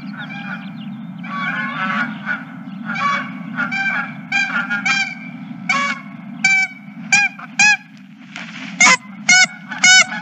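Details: Geese at a ranch on 31 March 2023 honking in a long, uneven series, the nasal calls coming faster and louder toward the end over a steady low rumble of background noise.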